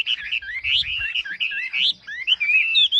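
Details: Wambi in full song: a quick run of bright, slurred whistled phrases that rise and fall, with brief pauses between bursts and a faint low hum beneath.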